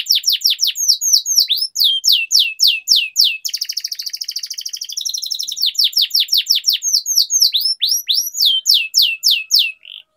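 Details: Canary training song with long rolls: steady series of rising whistled sweeps, a fast buzzy trill in the middle, then more quick repeated upslurs, clean and loud throughout.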